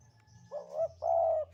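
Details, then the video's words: Javan spotted dove, a vocal bird, in the sandungan kuk-kuk song style: a two-part cooing phrase, a short wavering note followed after a brief pause by a longer, steady, mellow coo, over a faint low hum. "Derkuku Jawa Gacor Sandungan Kuk 2"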